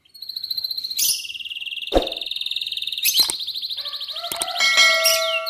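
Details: Atlantic canary singing in the morning to prompt other canaries to sing: fast pulsed trills near one pitch, a brief low burst, then more rolling trills and steady whistled notes overlapping.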